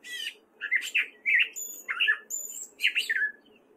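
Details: A male Gray Catbird sings in spring in Fairfield, Iowa: a jumbled run of short, squeaky, scratchy phrases, about two per second, with a few thin high whistles over a faint low hum.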